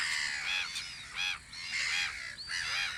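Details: At a gull guard post on the Audru polder in spring, loud, arching, nasal cries come in quick succession, about four distinct calls over steady colony noise.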